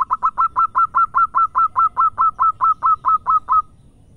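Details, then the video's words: Local zebra dove (perkutut lokal) in full song: a steady run of about fifteen short, clipped mid-pitched cooing notes, roughly two to three per second, ending abruptly, with quiet low background hum. "Power Full Perkutut Lokal Gacor"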